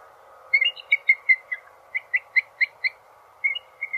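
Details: High piping call of a bald eagle: a rapid run of short, clipped whistled notes, about four a second, over a steady low background hum.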